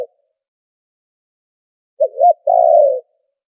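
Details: A cleaned lure recording of a spotted dove for bird trapping: after a long pause, one phrase of wavering low hoots leading into a sustained, rough-textured coo.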